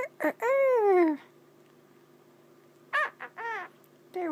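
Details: A male pet monk (Quaker) parakeet, asked to do his rooster, imitates a rooster and chicken with harsh, drawn-out crowing notes that fall in pitch; these are his favourite noises.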